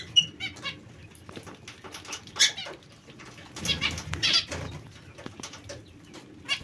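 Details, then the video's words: Pet zebra finches calling in short nasal bursts, scattered and irregular, with soft rustling and flapping between calls and a low background hum. "Il diamante mandarino o bengalini"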